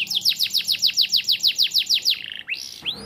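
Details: Canary with lovebird phrases in its song, used as a model for young canaries: crisp, evenly spaced downslurred whistles, roughly six per second, followed by a couple of sweeping upslurs.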